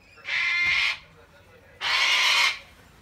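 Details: An angry cockatoo in Sydney, Australia, shouts at a kookaburra in September 2019. It gives two loud, harsh, raspy screeches about a second apart, each under a second long, with nothing else heard.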